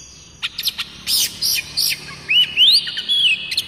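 Oriental magpie-robin singing a varied phrase: a few scratchy chattering notes, then clear rising and falling whistles, all high-pitched and crisp.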